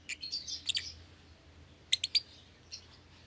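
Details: Young lovebird pair in a cage, an albino with red eyes and a euwing green opaline that have never bred; a few thin, high chirps, a quick triple burst midway, then one softer note over faint background hum.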